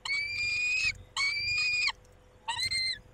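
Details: Tending the females at the nest at 19:40, a male peregrine falcon gives two long nasal wails, then a shorter wavering one.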